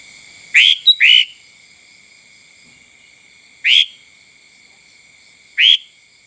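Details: Sooty-headed bulbul recorded as a lure to draw in other birds: a quick pair of sharp, bright chirps followed by single chirps roughly every two seconds, with a steady thin high tone running underneath.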